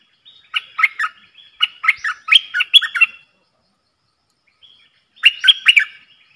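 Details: Caged bulbul dueling in song with wild birds, 3 October 2021: two lively bursts of quick, liquid, chattering whistles separated by a short pause, each phrase packed with rapid rising and falling notes.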